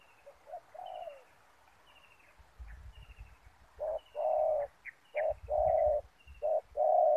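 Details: Spotted dove kept as a decoy, used with ground snare nets to lure wild doves: low, hollow coos in short grouped phrases that grow louder toward the end, with faint thin higher notes above.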